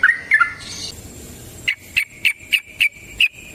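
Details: Wild yellow-vented bulbul in forest style, used as a lure to get other birds singing: a few quick notes, then six sharp clipped chips near the same pitch, spaced about a quarter-second apart, over faint background hiss.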